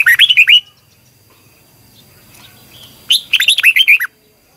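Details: Morning training song of a Red-whiskered bulbul in the double twisting long voice style: two rapid bursts of loud, bouncing whistled notes separated by a pause of over two seconds.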